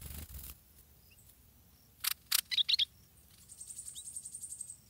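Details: A stripe-throated bulbul chick at the nest, being fed by its parents, gives a fast series of thin, high begging notes; earlier there are a few short chirps and some rustling thumps.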